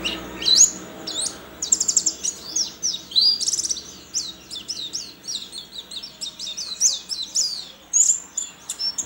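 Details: Contest white-eye from Sambas, West Kalimantan, caged and fed banana: dense, very high chattering song of quick rising and falling whistles packed into nearly unbroken phrases, with little background sound.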